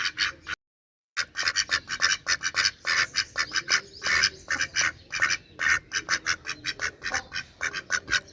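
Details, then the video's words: Many ducks calling together in rapid, harsh quacks, some drawn out, forming a dense chorus after a short silent break near the start. "Duck Quack Quack Cute Sound || Quacking Sound Of Duck || Ducks Quack Quack Loud Sound"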